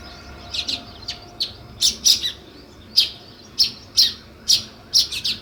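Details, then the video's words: Sharp, separate sparrow chirps spaced roughly half a second apart, each brief and high, over a quiet background. "Natural Sparrow View and Sounds | Chirping Sounds"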